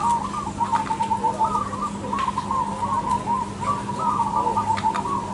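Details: Zebra dove of crossbred stock in full song at a singing contest, giving rapid beaded, trilled coo phrases that run almost without pause, while other doves coo faintly underneath and a constant low hum persists.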